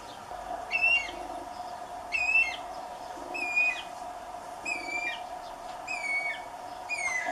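Guira cuckoo giving high, clear whistled notes, level then dropping, in short bursts about every second and a half over a steady low background hum.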